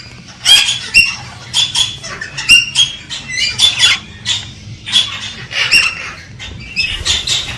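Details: A Galah trying to stimulate a female to mate produces short, clipped squawks and squeaky chips in quick irregular bursts, a few notes with a thin whistled edge, fairly quiet overall.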